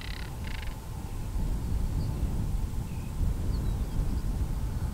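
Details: Northern Crested Caracara in breeding season, giving its hollow rattling call when disturbed; two short, rasping rattle bursts at the start, then wind noise and a few faint high bird notes. Recorded with a Canon SX70HS camera.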